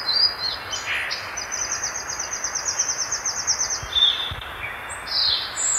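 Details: Violaceous euphonia song, a fast rattling run of high clipped notes lasting a few seconds, bracketed by brief thin whistles and a buzzy burst, against soft background hiss.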